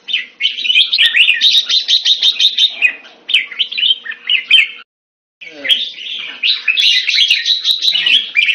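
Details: A red-whiskered bulbul (jambul) kept by a hobbyist sings rapid, rattling warbled phrases, stops for a moment of silence, then resumes with more fast twittering.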